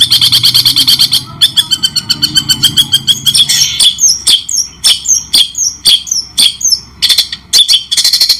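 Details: White-rumped shama, clear and with pauses, in a training recording for songbirds: fast buzzy chatter that gives way to separated sharp notes and short upslurred whistles, ending in another quick burst.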